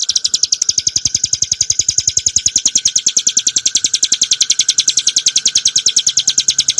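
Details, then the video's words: For cage-bird training, a hill prinia sings a quick, regular train of high, piercing notes, several per second, steady throughout, with faint low thumps beneath. "kicauan burung ciblek gurun untuk masteran & pancingan - suara jernih ngebren nembak"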